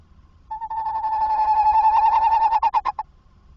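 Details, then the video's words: A tawny owl calls while coming into a nest box at 21:45 on 27 August 2024. One sustained, hoarse tone of about two and a half seconds ends in a rapid stutter of short pulses. "Bosuil Roepend in de nestkast"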